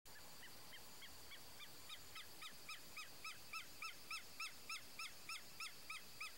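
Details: Wood stork (Mycteria americana), known locally as cabeça-seca, a fishing bird from Brazil: a rapid, steady series of nasal, arched notes with bright overtones, about three to four a second, growing louder throughout against a constant high hiss.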